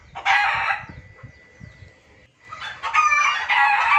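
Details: Junglefowl lure recording used for bird trapping, noisy style: loud harsh cackling bursts, a quieter pause with a thin steady whine, then a second long stretch of raucous overlapping calls.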